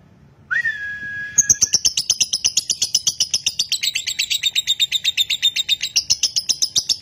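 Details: Caged lovebird of the konslet singing style, bred in Nganjuk, with long continuous singing. A steady whistled tone comes first, then a rapid high chattering trill of buzzy notes repeated about four per second.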